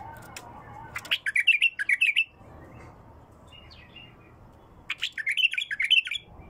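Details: Bulbul with a pure, raw voice, singing two bright, rapid phrases of fluty, tumbling notes, each about a second long, with a softer short twitter between them and a low background hum.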